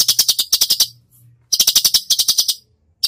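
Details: Cucak cungkok giving its full 'tembakan' song for bird training: two bursts of loud, fast, evenly spaced dry ticks, about ten per second, with a short silent gap between them.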